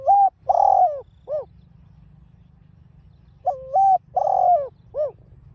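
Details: Spotted dove (cu gáy) provoking call in the 'đồng pha' voice. Two loud mellow phrases about three seconds apart, each a short coo, a long wavering coo and a brief falling tail note, over faint low hum.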